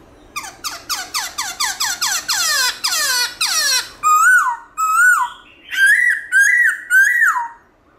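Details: Black-throated laughingthrush singing its forest-style morning song: a fast run of about ten descending whistled notes, then five loud, clear, slurred whistles at a slower pace, with a quiet room behind.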